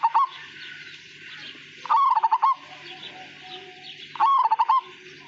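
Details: Zebra dove of the Majapahit song style, a melodious type without a long closing 'kung' note. It sings a rolling coo phrase of quick pulsed notes, given twice about two seconds apart, with faint chirps and a low hum behind.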